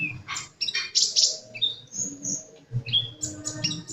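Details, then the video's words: Sunbird singing energetically: a jumble of high, piercing chirps, squeaky slurred notes and thin whistles, delivered rapidly with barely any gaps, over a low background rumble. "Burung kolibri gacor"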